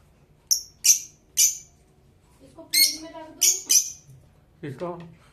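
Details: Blue Fischer's lovebird kept as a pet calls with short, sharp, shrill chirps in a quick series, partly overlapping indoor human conversation in Hindi.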